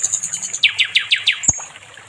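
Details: Nightingale, called sikatan londo, in a training song for songbirds: a short high trill followed by five descending slurred notes, then a sharp click and a brief high whistle.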